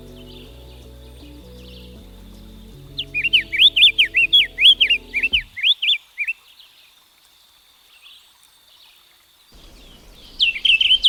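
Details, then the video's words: Diademed tanager, also known as white-capped tanager, giving a rapid run of sharp, slurred whistles lasting about three seconds, then a pause and a short burst at the end; soft music plays during the opening seconds. "The Sound of the Diademed Tanager"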